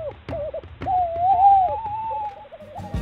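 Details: Male Tawny owl (Strix aluco) at an ash-tree nest site in the Yorkshire Wolds, 2021, giving a territorial hoot at an intruding owl heard in the distance, defending the site: a mid-pitched hoot breaking into a long quavering note, then a softer tremolo.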